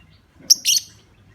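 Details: Lovebird provoking call for triggering other lovebirds: one very sharp high chirp immediately followed by a longer shrill, buzzy squeak.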